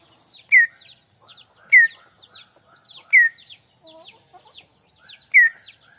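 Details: Greater green leafbird, a wild-caught bird, calling to a rival: a loud, sharp, downslurred whistled note repeated roughly every 1.2 seconds, each with a bright high burst, over soft twittering and quieter mimicked chatter.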